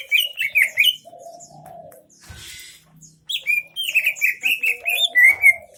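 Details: Greater green leafbird singing an 'isian MB' song in Aceh Tengah. Bright whistled notes alternate with a lower drawn-out hoarse note, broken by a brief noisy rustle, then a lively string of sharp whistles.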